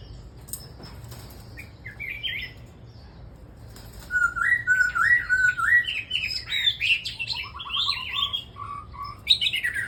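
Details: Red-whiskered bulbul in a singing group of birds: a quiet start with scattered chirps, then from about four seconds a run of loud, rolling whistled phrases that rise and fall, followed by shorter choppy notes.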